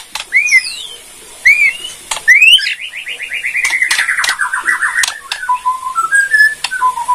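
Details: Borneo white-rumped shama in kretekan style, meant to provoke other shamas into replying: rising whistled notes, then a long fast trill sliding downward, ending with low clear whistles and sharp clicking ticks.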